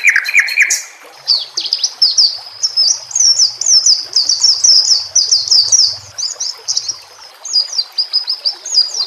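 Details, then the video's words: White-rumped shama singing on a training master recording set with nature sounds and trickling water: a brief lower burst, then a long, high, rapid chattering warble of twisting notes that runs almost without pause. "Masteran murai batu TERAMPUH yang di pakai semua burung juara"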